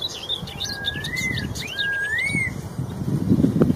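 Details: Straw-headed bulbul in the wild sings loud, liquid whistled phrases that swoop upward, with a few higher sweet notes over a low rumble of background noise.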